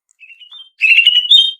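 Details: Female greater green leafbird, lure audio for training cage birds: short thin whistled notes, a brief pause, then a dense burst of bright chattering twitters ending in a sustained high whistled phrase.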